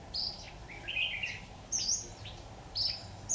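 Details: Red-whiskered bulbul used as a decoy while trapping, recorded on 26 October 2019; short whistled and warbled notes at varied pitches, some high and thin, others lower and slurred, spaced irregularly over a steady background hiss.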